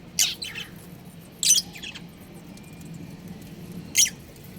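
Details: Breeding pair of budgerigars making three brief, scratchy, high chirp bursts, the first doubled, spaced irregularly over four seconds with quiet background hum between.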